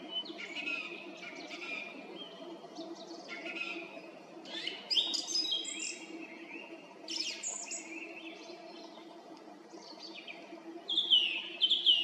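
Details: Song thrush singing at 18:50 on the evening of 18 April 2021 from a treetop by the road to Krasnye Ozera in Zarechny: loud, varied, often repeated phrases of whistles and sharp chirps, with brief pauses, over a low steady hum.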